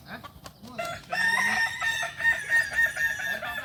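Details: Kukuak balenggek rooster crowing at a contest practice in Panyakalan, Solok: short clucks and soft low sounds, then a long crow with a rich, ringing tone that breaks into a rapid series of stuttering, pulsed syllables.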